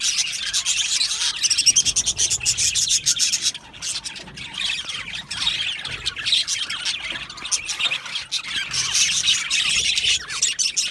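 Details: Aviary budgie flock, Australian parakeets, producing busy high-pitched chirping and grating squawks, briefly dipping in volume before resuming.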